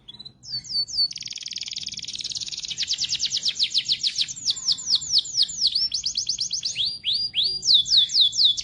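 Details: Canary in full continuous song: a few opening slurs, then long fast rattling trills, rolled tours of rapid descending notes and bright sweeping whistles, with low background hum.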